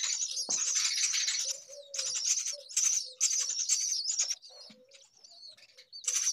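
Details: Baby myna calling out of hunger, giving quieter rasping bursts of squawks with thin high whistled tones, in clusters separated by short pauses, with faint lower chirps between them.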